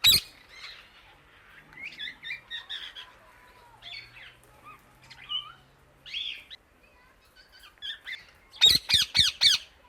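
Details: Indian ringneck parakeet calling out loudly to other birds. Soft, scattered squawks and chirps sit over a quiet background, then a loud closing volley of four or five harsh, rasping screeches.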